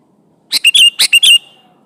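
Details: Sooty-headed bulbul singing to call an opponent: one quick bubbly phrase of five or six sharp notes, each slurring into a bright liquid whistle, over a quiet background.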